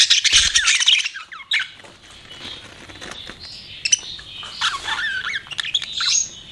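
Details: Pet budgerigars chirping: a busy mix of warbled, twittering notes with quick rising and falling squeaks and chatter, fairly continuous, with a burst of wing flutter at the start.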